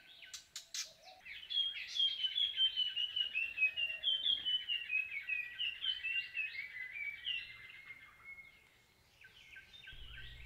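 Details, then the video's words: Indochinese blue flycatcher at a bird hide beside Kaeng Krachan National Park, Thailand, giving a different call from before: a few sharp clicks, then a long, fast run of high, thin twittering notes drifting slightly downward. "And the Indochinese blue flycatcher again, with a different call. Earlier,"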